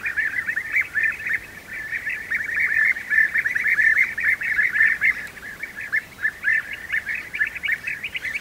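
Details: European bee-eaters feeding their young at the nest: a dense, continuous stream of rolling, trilled chirps, many overlapping and rapidly repeated, steady throughout with brief dips in loudness.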